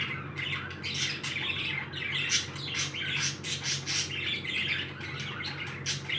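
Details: Lively, happy pet parakeets squawk loudly and rapidly, with rasping calls and crisp clicks tumbling over one another above a steady mains-like hum.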